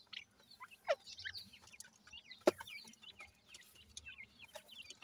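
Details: Several grey francolin chicks, known locally as dakni teetar, peep while feeding: sparse, high, falling chirps, two loud sharp taps near one and two and a half seconds.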